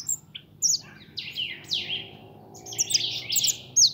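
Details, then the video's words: Pet young European goldfinch, called pintón, sings sweeping downslurred notes and scratchy twitters, ending in a rich burst of tumbling high chirps. "Mi jilguero pinton"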